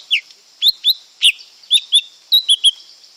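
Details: Lesser green leafbird song: quick bright chirps and short slurred whistles, about nine notes in three seconds, high-pitched, with a steady insect hiss in the background.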